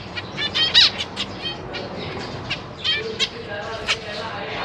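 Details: Zebra finches in a big cage, two adults with three juvenile and three newborn young, 4 May 2023. Scattered nasal calls, one loud note near the start and softer ones spread through the rest.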